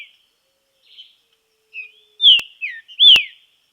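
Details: Green-winged saltator singing in nature while in training: a few soft notes lead into loud, rich, downslurred whistles, with two sharp clicks.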